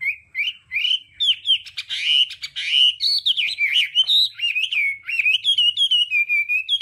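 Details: Hwamei song used for voice training, in the varied 'đảo âm' style: a continuous run of loud, clear whistled phrases, slurred up and down, with quick trills and sharp chips between sweeping notes, little background noise.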